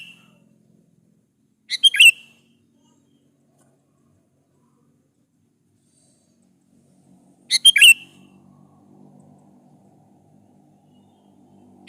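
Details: Sooty-headed bulbul lure song meant to make rival bulbuls respond: two short, sharp, chattering phrases ending in a whistled note, spaced about six seconds apart, with a faint low rumbling background.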